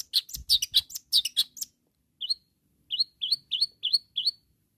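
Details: Long-tailed shrike singing actively to challenge rivals: fast scratchy chatter, then six clear upslurred whistled notes repeated about every third of a second.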